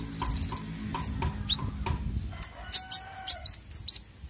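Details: Konin bird used as a lure for young untrained birds: a quick burst of six very high, sharp chirps, then scattered single high notes and a run of evenly spaced bright chips, with faint low rumbling underneath.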